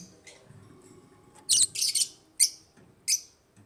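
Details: Pet African lovebirds in an aviary giving short, sharp, high-pitched chirps in a few separate bursts, with quiet background rumble.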